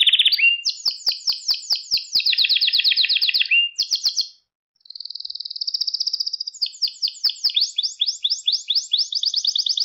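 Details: Canary singing, recorded to train young canaries: varied fast trills and rolling tours, a brief pause, a smooth high trill, then rapid repeated chirping sweeps.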